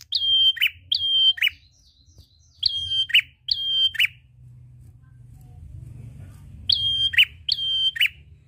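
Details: Prinia in full energetic song, used to lure other birds into singing. Loud two-part phrases, a high flat whistle dropping into a buzzy downslur, repeated in paired bursts with pauses between, faint low rumble behind.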